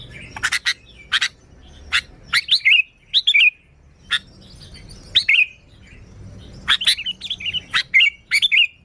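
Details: Lure recording of a sooty-headed bulbul singing: scattered sharp clicks and chirps followed by short, liquid warbled phrases with falling notes, repeated in clusters over a faint low background hum.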